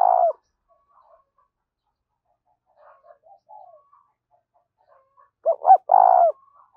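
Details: Lure call of a spotted dove over open fields: a coo ending, a long quiet stretch with faint murmurs, then a full phrase of two quick notes and a drawn-out throaty coo.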